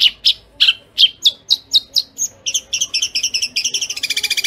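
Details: Long-tailed shrike kuntilanak song, sparrow-linked, fast and dense, used to tutor caged birds: separate loud chirps that speed up steadily into a quick stuttering chatter and end in a tight buzzy trill.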